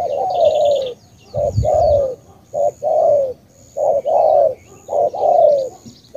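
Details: Cà Mau spotted dove (cu gáy) calling loudly: a long falling coo, then repeated pairs of a short note and a sliding drawn note; brief low rumble and faint high twittering of other birds.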